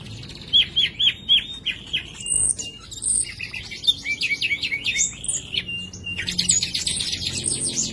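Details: Green leafbird singing energetically with a repertoire that includes imitations of the common nightingale, opening with a run of four sharp upslurred whistles, then rapid chattering trills, high squeaky notes and scratchy bursts, with low rumbling background noise.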